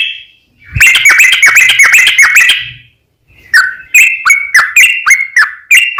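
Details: Yellow-vented bulbul, long continuous lure song for stressed or silent bulbuls: a dense two-second run of rapid bubbly chatter, a short silence, then slower clicky slurred whistles.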